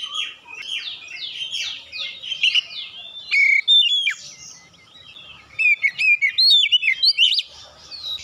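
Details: Oriental magpie-robin singing to spur other birds into song: a fast run of buzzy downslurred chirps, then clear whistled notes and sharp rising and falling phrases, varied and continuous.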